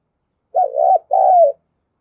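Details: Decoy spotted dove cooing to lure wild doves: two short mellow phrases, the first a wavering double coo, the second a longer coo that slides slightly downward at the end, then silence.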